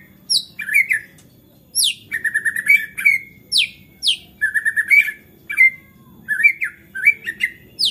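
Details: Agitated white-rumped shama singing to spur other shamas on: rapid runs of clear whistles mixed with sharp, high descending sweeps, bursts repeated with brief gaps.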